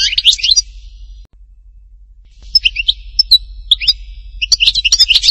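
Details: Goldfinch singing htatba style in Tipaza, Algeria: a brief twittering phrase, a pause of over a second, then resumed high tinkling notes and short whistles.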